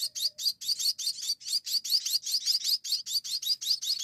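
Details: Hand-fed munia nestlings calling for food: a steady run of sharp, high-pitched chirps repeated roughly two or three times a second, clear and loud, with little other sound.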